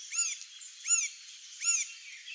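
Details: Male Green-barred Woodpecker (Colaptes melanochloros) gives three sharp, arched, high-pitched notes, about one every three-quarters of a second, over a faint background hiss.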